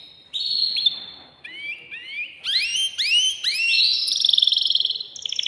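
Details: Excited caged male canary singing to stimulate a female for mating: steady whistles, paired rising notes, then a burst of loud swept notes ending in a buzzy rolling trill.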